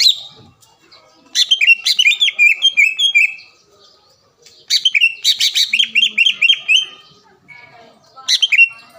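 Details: Green leafbird vocalising to provoke a rival: three separate bursts of fast, jumbled chirps and warbled whistles, divided by brief silences.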